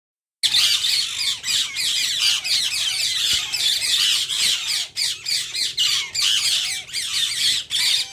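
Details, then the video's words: A group of rose-ringed (Indian ring-necked) parakeets gives a dense, continuous chorus of shrill, grating screeches and squawks, overlapping with hardly a pause. "indian ring necked parrots making sweet sound"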